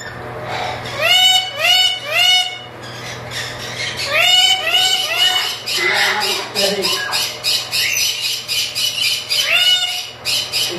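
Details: Breeding pair of chattering lories give loud, harsh, rising squawks in quick bursts, then a rapid stream of shrill chatter and honking notes, over a steady low hum.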